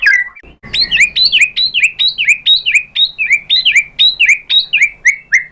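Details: Female white-rumped shama calling the male with a steady run of bright, downslurred whistled notes repeated about three times per second, even and loud throughout.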